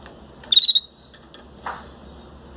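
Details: Hand-fed Belgian canary chicks, 18 days old, given soft baby food in the beak. A quick pulsed series of thin, high peeps, then a faint sustained high whistle, with a soft low thump between them.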